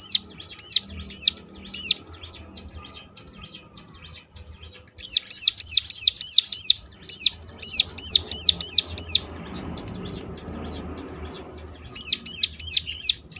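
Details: Prinia lure song used to provoke other prinias into answering: bright, high, sharply rising and falling chirps in rapid repeated bursts, a pause near the middle, then more fast chirp runs.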